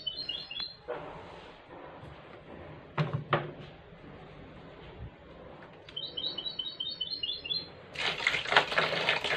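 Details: Goldfinch hybrid bathing during the coronavirus period gives two short, rapid, high chattering trills amid running water, with splashing bursts and louder water noise at the end.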